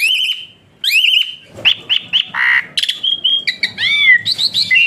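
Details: Whistling song of an Asian pied starling used as a model for training other songbirds: long steady whistles, a short pause, then a rapid mix of whistled, grating and rising-falling notes.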